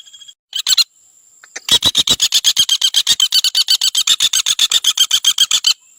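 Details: Common flameback (Dinopium javanense) calling: a short opening burst, then a long, even, machine-gun rattle of roughly forty harsh notes over four seconds, about ten per second. A thin high tone sounds at the start and end.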